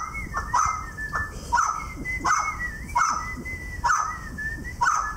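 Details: Adolescent male pet Mountain quail, excited, gives loud, short, hoarse calls about once a second, six in a row, over a thin wavering whistle and low background rumble.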